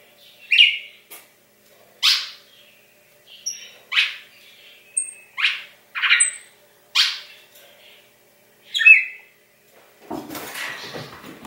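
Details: On Christmas morning, 25 December 2016, a pet Brazilian cardinal raised by a breeder gives a series of short, sharp downslurred whistled notes roughly once a second, some with thin high tails, ending in a burst of rustling noise.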